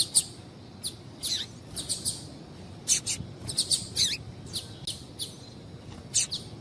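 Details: Female double-collared seedeater calling to get a male singing: lively, scattered high chirps, some slurred downward, in loose groups of two or three throughout.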